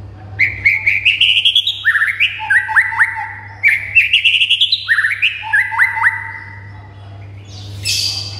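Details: Repeated white-rumped shama song used to trigger other shamas to answer and sing excitedly: two similar phrases, each a climbing whistled run followed by quick upward-flicked notes, then a pause and a noisy rustle. Faint hum beneath.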